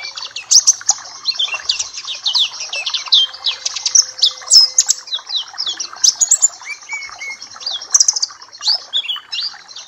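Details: Tutor song of a Papua black-capped white-eye used to train other birds: a long continuous run of high, rapid, sweeping twitters and chirps, with a thin steady tone briefly beneath.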